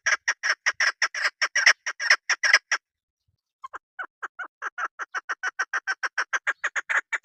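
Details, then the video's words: Female chukar partridge, used by hunters, repeats sharp clucking notes at a steady quick pace, pauses for about a second, then resumes with a softer, rising run of clucks. "شکاری مادی۔ صدائے مادی کبک۔شکاری مادی آواز"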